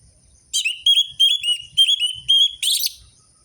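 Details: Lure recording of an orange-headed thrush singing, meant to prompt lazy captive birds to sing. Rapid series of clear whistled phrases at a steady pitch, about seven in quick succession, ending in a harsher buzzy burst.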